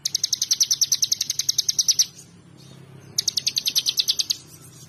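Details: Bar-winged prinia in vigorous, energetic song: rapid, evenly spaced high sharp notes, around three per second, in a burst of about two seconds, a short pause, then a second burst.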